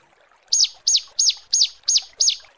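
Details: Six crisp, high notes from a female bar-winged prinia calling the male, each a sharp rising-then-falling chirp spaced about a third of a second apart.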